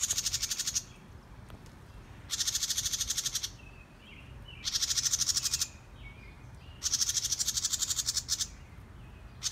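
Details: A house wren scolding the recordist: four harsh, buzzy, rapidly pulsed rasping chatters, each about a second long, repeated every two seconds or so, with faint softer chips between.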